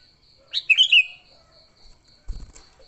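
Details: Single rich, warbling fighting phrase from a sooty-headed bulbul, used to attract bulbuls, followed by a dull thump, over a steady high-pitched ticking pulse.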